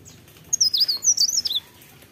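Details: Cikrak daun, also called pare pare or blerengan, singing in the morning: one quick, very high, thin twittering phrase of rapid tumbling notes lasting about a second.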